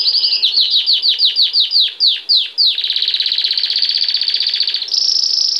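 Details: Belgian canary singing a lot in the bell-like campainha style: about eleven quick down-slurred whistled notes, then a fast buzzy rolling trill held for two seconds, ending on a higher, steadier trill.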